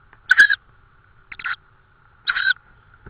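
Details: Tawny owl at its nest in Estonia on 18 May 2013, evening, with prey brought later; three short hoarse, raspy bursts spaced about a second apart over a faint steady hum.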